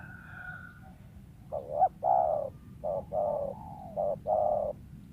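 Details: Wild spotted dove prized as a lure, cooing in short groups: brief coos followed by longer drawn-out notes, repeated in three phrases, with a faint whistle at the start and low background rumble.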